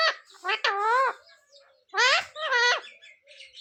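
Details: Talking parrot repeating devotional words like sita-ram and jai shree ram: two pairs of strained, rising-and-falling voiced syllables a second apart, then quiet with faint rustling.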